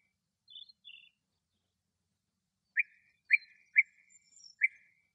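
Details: Male European bee-eater singing in Greece: short, rolling, burry notes, a few in quick succession, after softer higher chirps.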